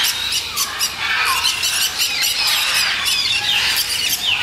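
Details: Black-headed caique (Pionites melanocephalus) calls: harsh, shrill squeals and squawks in a rapid, overlapping jumble, possibly several birds calling together.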